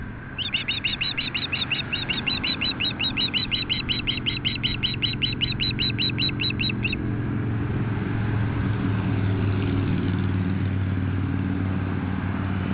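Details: Osprey pair defending their Kootenay River nest near Nelson, BC, from an intruding osprey, morning of 8-7-2015, nest camera. A rapid run of sharp whistled chirps lasts about seven seconds, then only steady low traffic-like rumble remains.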